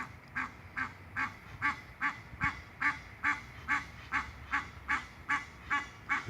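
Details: Egyptian goose (Alopochen aegyptiaca) in a canal at Wellington, Florida, huffing and honking madly: a steady series of short, harsh, huffing honks, about two or three each second, with faint background noise.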